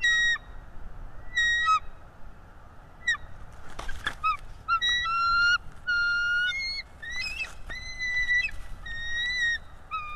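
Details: Bald eagle on a live nest cam, defending against an intruder eagle: an excited, nearly continuous series of high whistled and chattering notes, some drawn out and rising, with a few sharp clicks between calls.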